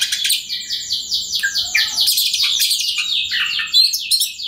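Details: Kacer, the Oriental magpie-robin, in full persistent song used to make rival birds sing: fast repeated chattering notes in a dense, rapid series, broken by brief clear whistles, over faint low background noise.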